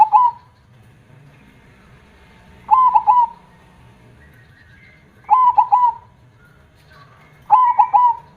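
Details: Loud, clear zebra dove song in the big-voiced KONG style, with the bird in active singing form: four ringing three-note coo phrases, each clipped and bouncy with a drawn-out ending, spaced roughly two and a half seconds apart over faint low rumble.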